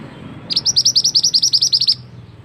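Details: Scarlet-headed flowerpecker, male, lure call for trapping in forest: a brisk, even run of about fifteen piercing high chip notes, each slightly downslurred, over a light low-frequency background hum.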